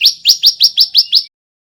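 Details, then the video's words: Young male bar-winged prinia of the white-breasted form, learning to sing: seven sharp rising chirps repeated about every 0.17 seconds in one rapid, even burst, bright and high, on a clean, quiet background. "Suara Ciblek belajar bunyi GACOR"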